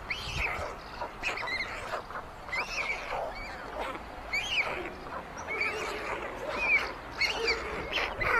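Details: At a white stork nest built on a chimney in Ságvár, Hungary, 22 May 2024, older nestlings steal food from the youngest. Busy chorus of high, squealing, up-and-down cries, several birds calling at once in rapid bursts.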